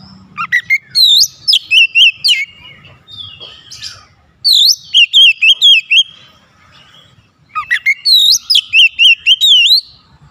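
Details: Kacer, an oriental magpie-robin, challenging a rival, which answers back: three loud bursts of rapid, looping whistles with rising and falling sweeps, each phrase lasting about two seconds and separated by short pauses.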